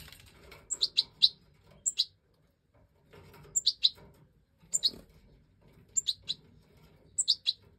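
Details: High, thin begging cheeps in small bursts from five recently fledged Goldfinch Major chicks being fed by the hen in a breeding aviary, with soft rustling and low background hum.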